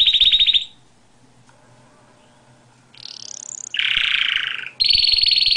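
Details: Canary singing: a bright high trill, then a silent pause, then a sweeping rising note, a rough buzzy burst and a fast rolling trill held to the end.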